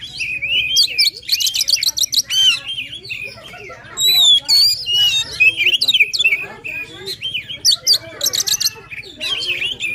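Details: Oriental magpie-robin singing in the intense 'gacor full emosi' style, meant to rouse a lazy bird: dense bursts of sharp whistles, rattling trills and slurred notes in quick succession, with a steady low hum beneath.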